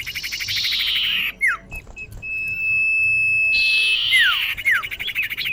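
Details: Lure call of a female common iora calling a male: buzzy rasping bursts framing a long, steady, pure whistle, followed by sharp downward-slurred notes.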